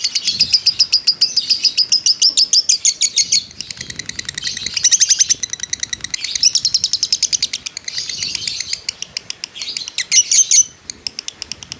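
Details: Long ngekek chatter from a fighter lovebird intended to provoke others: fast, high, buzzy chirp bursts separated by short pauses, ending with a loud final burst and then quiet.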